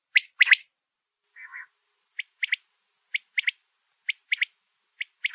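A female common quail gives short, high, clipped notes in threes, one then a quick pair, about once a second, after an opening buzzy note.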